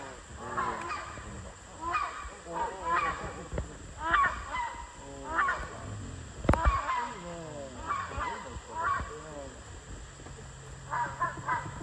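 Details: Wild rhinoceros hornbill on Borneo, calling before moving off and crying out loudly as it flies away: loud, nasal honking calls in irregular clusters of two to four notes, over a steady background hiss.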